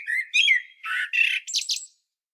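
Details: Common blackbird singing on Medvednica Mountain at Sljeme, Zagreb, Croatia, filmed with a Panasonic Lumix DC-TZ90: low fluty warbled notes, then a thin, squeaky, high twitter that ends the phrase.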